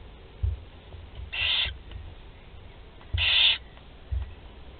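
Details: Four young barn owls in a nest at Théding, France, on 16 July 2020 during feeding. Two harsh, breathy hissing bursts, each about half a second long and roughly two seconds apart, with soft low knocks and thumps between them.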